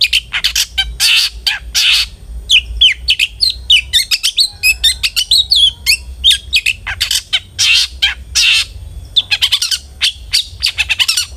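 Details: Lure song of a long-tailed shrike meant to make a bird sing readily: rapid, varied chatter of scratchy notes, twittering whistles and buzzy bursts running almost continuously.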